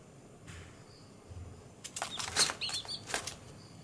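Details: Day-old baby chicks outside on green grass: a handful of brief, high, thin chirps tumbling together around the middle, mixed with rustling and sharp clattering bursts of movement nearby.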